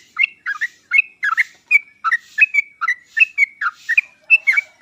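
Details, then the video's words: Sooty-headed bulbul song meant to lure birds that are slow to sing: a continuous stream of cheerful bubbly phrases, short rising and falling slurs tumbling quickly one after another. "pancingan dan masteran trucuk paling cepat di sambar trucuk malas/susah bunyi langsung nyaut"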